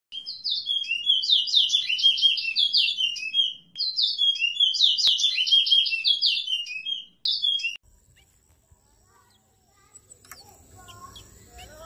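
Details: Chestnut-bellied seed finch, known locally as towa towa, brown birds in a singing competition in Guyana in 2021. Rapid, warbled song of tightly packed high chirps in two continuous bursts of about three and a half seconds each, separated by a brief pause, then near silence with faint background sounds.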